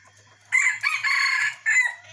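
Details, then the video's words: F1 decoy rooster crowing, recorded 19 December 2021: a loud, hoarse crow in three parts, with a short opening note, a long strained middle and a falling close, over a faint low hum. "Gà mồi f1 - qaib qus txuam ib Zoo nraug"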